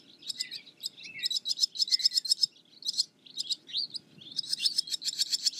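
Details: Barn swallow giving rapid high chirps in bursts, mixed with a few lower slurred notes, ending in a dense buzzy run.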